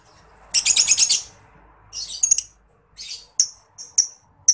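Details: Lovebird in ngekek style, a master recording for tutoring contest birds: a loud buzzy, shrill chattering burst, then a shorter harsh rattle and a few isolated high, sharp chirps.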